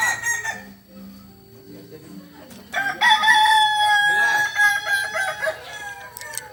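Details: Kukuak Balenggek chicken from Solok: a series of low, stepped tonal notes rising gradually, then a loud, harsh, multi-part crow with rising and falling segments lasting around three seconds.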